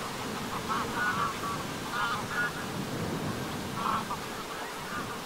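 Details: Greylag geese in flight at sunset on the shore of Lake Vänern, Sweden, 13 August 2023, give short, nasal honks in loose bursts about every second, several overlapping above a steady rushing background.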